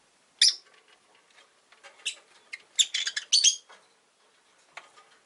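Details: Harsh, scratchy chirps and clicking chatter from caged rosy-faced lovebirds, orange-faced and green-bodied, five kept by a window; a dense burst of chirps sits in the middle.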